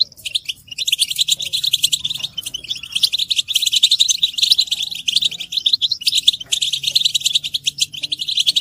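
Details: Group chattering of several European goldfinches, mating and readiness calls used to stimulate males to sing; dense, high twittering and tinkling notes pour out almost nonstop in overlapping bursts, with brief pauses and a faint low hum beneath.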